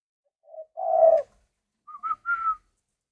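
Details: Captive spotted dove from a Vietnamese breeding setup giving a short low note, a loud rough low coo, then three rising clear whistled notes, each higher and longer than the last, in a quiet room.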